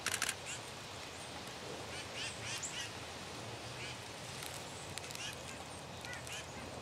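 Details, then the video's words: Black-capped chickadee giving a string of buzzy, nasal 'dee' notes, each a short harsh burst repeated irregularly through the clip over a steady low background hiss. "Chickadee - dee - dee - dee"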